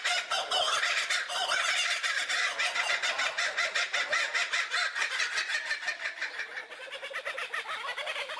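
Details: Long kookaburra laughing chorus, with raucous repeated hoots building up and then breaking into faster, fading chuckles toward the end.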